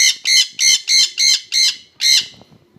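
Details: Paired jenday conures give six strident screeches, roughly three per second, in an even, rapid series.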